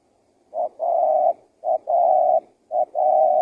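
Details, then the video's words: Spotted dove calling to lure wild birds closer: three rapid phrases about a second apart, each a brief clipped coo followed by a long, steady, level coo. "SUARA TEKUKUR GACOR PALING AMPUH UNTUK PIKAT BURUNG LIAR"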